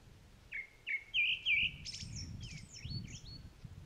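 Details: A Grey-backed thrush at the otter marsh of Upo wetland (Sobeol), South Korea, among blooming Chinese milk vetch, gives four clear whistled notes, then a quick run of high twittering phrases over a faint low rumble.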